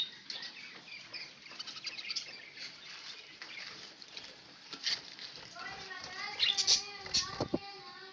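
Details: Pet budgerigars recorded on 11 October 2016, giving dense, rapid chirping and twittering high up, with harmonic tonal notes joining near the end and a voice-like murmur beneath.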